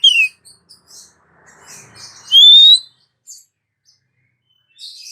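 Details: Female Oriental magpie-robin calling a male. Mostly faint high twitters and a soft scratchy murmur around a single loud, bright whistle that slides upward.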